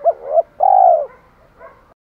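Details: Spotted dove challenge and hen-calling coo: two quick low notes lead into one long, steady, slightly down-sliding croon, followed by a faint, softer trailing note.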